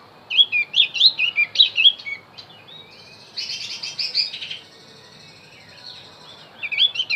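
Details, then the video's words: Javan grey-throated white-eye song for luring wild birds: a fast chain of high, looping whistles, a softer rasping trill in the middle, then the whistled phrase starting again. "opior Jawa pasti nyaut pancing dengan Opior Jawa ini"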